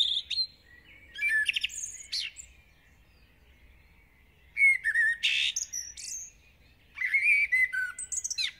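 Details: Common blackbird, a village bird singing intensely at dawn: three verses, each opening with a low fluted phrase and closing in a thin, high chattery warble, with quiet pauses between.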